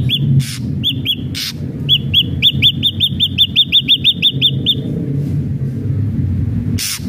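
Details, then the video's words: Ashy drongo in full song: a few scattered clear whistled notes, then a rapid string of about fifteen hooked whistles, with short harsh rasping bursts at the start and end over low background hum. "SRIGUNTING ABU ABU GACOR"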